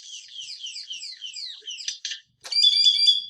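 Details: Great-tailed Grackle, a loud bird of suburban Phoenix, Arizona backyards, in one example of its calls: a rapid run of high, descending slurred whistles, a few harsh buzzy notes, then a loud, sustained metallic whine.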